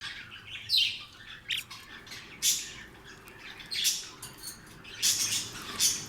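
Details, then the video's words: Blue lovebirds chirping: sharp, high squawky chirps in short bursts, about six loud ones spread across the stretch, with softer twittering between them and a quiet background. "Blue Lovebirds"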